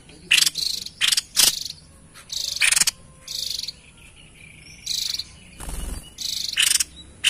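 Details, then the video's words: White-chested babbler, its song used to attract wild birds: harsh, buzzy bursts in uneven groups, with a short low thump near the end and a faint high tone behind. "Tepus Dada Putih Gacor l Cocok Untuk Pancing Bunyi & Pikat Burung Liar"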